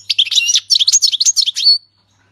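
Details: Syrian goldfinch delivering its 'king's language' song without mistakes; a fast, continuous run of high tinkling, twittering notes lasting under two seconds, loud and clean over near silence.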